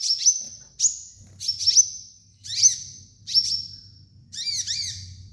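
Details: Sunbird (kolibri ninja), kept as a training master for untrained birds: bursts of high, thin whistles, each starting with a sharp note and trailing into a level sustained tone, repeated about once a second with short gaps.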